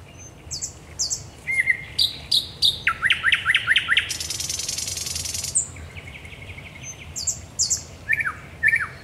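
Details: Thrush nightingale singing at night at the Raszyn Ponds, Poland, on 10 May 2021: varied phrases of high whistled notes, rapid repeated clicking strokes, a long dry rattling buzz and falling slurred whistles, with low background hum.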